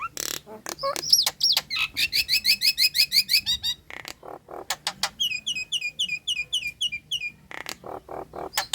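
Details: Female Nias hill myna in breeding condition calling the male: sharp clicks, then a fast run of repeated high whistled notes, a pause with harsh chatter, and another series of rising whistles, steady rhythm throughout.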